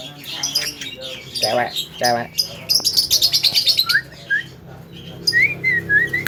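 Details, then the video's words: Javan myna mimicking varied sounds: harsh chatter, a buzzy harmonic burst, rapid high stuttering notes, then short clear whistled slurs near the end. "SUARA BURUNG JALAK KEBO UNIK BISA BATUK,TERTAWA DANENIRUKAN SUARA GITAR"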